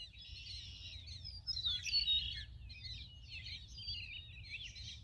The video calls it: Purple Martin's enjoying lake side condo!